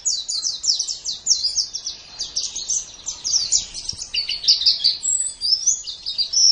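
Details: Pleci, or white-eye, singing in gacor style on a tutor track for pet birds: a dense, unbroken stream of very high, sharp chirps and short trills, steady and lively throughout the recording.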